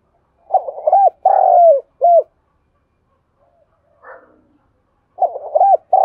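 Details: A Spotted dove from Đồng Nai, Vietnam, coos and calls in soft, low, hooting bursts of three or four notes with pauses between phrases and a faint rustle; the recording is used as a lure to stimulate other doves to coo.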